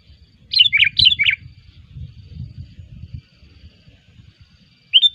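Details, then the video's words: Sooty-headed bulbul singing in a lively way, a recording used as a lure for bird trapping: a quick burst of four bright, bubbly whistled notes early on, a short phrase returning at the end, over a low rumbling hum. "suara pikat burung kutilang gacor"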